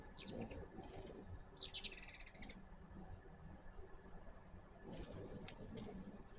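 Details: Feeding hummingbirds at a garden feeder make a short high chip series, then a loud, fast buzzy chatter lasting nearly a second, and later a few sharp ticks, with low background noise throughout.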